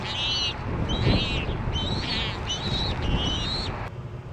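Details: Ospreys at a Missoula nest cam on 4 September 2012 squabbling over dinner; a series of five high whistled, slightly wavering calls, each about half a second, repeated steadily with low rumbling wind behind.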